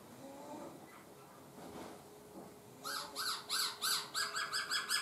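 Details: Laughingthrush singing with changing voice, a run of about eight harsh, rapidly repeated broadband notes arriving after a quiet start with faint low murmurs, delivered roughly three per second.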